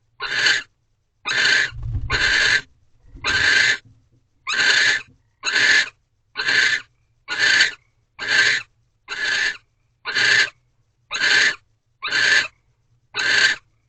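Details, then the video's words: Nighttime barn owl mating ritual in an owl box, 2:15 am, 3 March 2023, thirteenth night: fourteen harsh, noisy hisses in a steady rhythm of about one per second, with a low thump near the start. "Barn Owl Mating Ritual"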